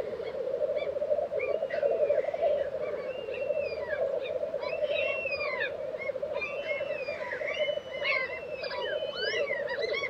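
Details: Black grouse lek in Tiveden, Sweden, in April 2023: a continuous low bubbling murmur underlies a busy mix of varied whistles and chirps from other birds.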